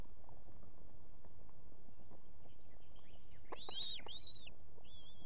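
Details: At an Estonian osprey nest holding two chicks, the female summons her mate to bring fish in the evening. Late in the recording come a pair of rising-then-falling whistles, then a softer trailing note, above constant low background noise.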